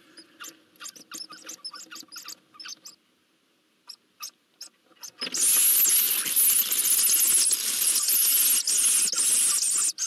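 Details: Eurasian hoopoe nestlings being fed at a nest in Nagyberény, Hungary, on 12 June 2024 give rapid, high squeaky chirps, then break into a loud, continuous hissing wheeze as food arrives.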